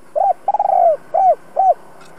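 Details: Spotted dove decoy bird with a fine two-ending voice: low cooing phrase of one coo, a long vibrating purr sliding downward, then two arched coos, quiet background.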